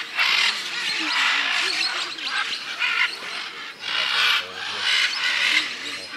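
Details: Several scarlet macaws (Ara macao) in Peru give loud, harsh, raspy squawks in overlapping bursts, calling over one another almost continuously.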